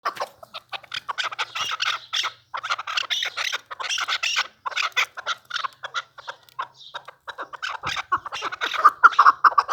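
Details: Chukar partridge, a newly acquired bird, giving rapid runs of clucking notes, mid-pitched with brief pauses between bursts, through about ten seconds, louder and denser toward the end.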